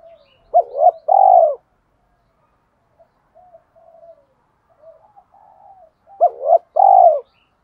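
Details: Spotted dove kept as a decoy to excite wild birds: two phrases several seconds apart, each of short hoots leading into a long burry coo, with quiet murmuring notes in the gap.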